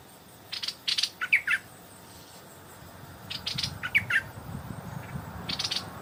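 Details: Evening Stripe-throated bulbul near a decoy bird: scattered short bursts of harsh notes and slurred warbled phrases separated by pauses, with soft low background noise.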